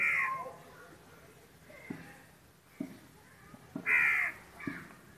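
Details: A pair of Pekin ducks (domestic duck breed, Anas platyrhynchos domesticus) giving harsh, raspy quacks: two loud ones about four seconds apart, with a few softer calls and light clicks between them.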